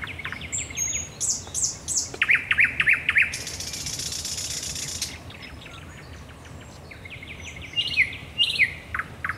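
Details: Night song of a thrush nightingale at the Raszyn Ponds on 10 May 2021, with bursts of sharp repeated notes, a loud harsh rattling passage in the middle, then more quick repeated phrases.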